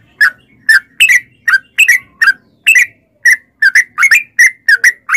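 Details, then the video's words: Yellow-vented bulbul (trucukan) lure recording for caged birds: irregular series of short, whistled chirps, some doubled, falling slightly in pitch, spread steadily across the clip. "trucukan gacor TARUNG ROPEL PANJANG pancingan trucukan agar bunyi jadikan burung trucuk gacor NYAUT"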